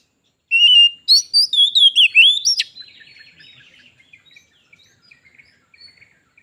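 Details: White-rumped shama, a caged bird visited by a wild one, in a singing contest that turns into a fight; loud rich whistled phrases with rising and falling notes for about two seconds, then fading softer twittering notes.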